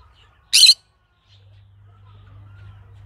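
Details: Green-cheeked conure letting out one brief, shrill, rasping squawk, followed by quiet with a low hum.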